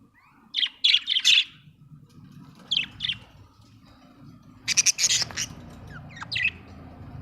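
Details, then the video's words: Chirping budgie, an Australian bird: bursts of scratchy, clipped chirps in clusters of three or four, with a loud rasping squawk-like burst midway, over a steady low background hum. "Budgie chirping sound"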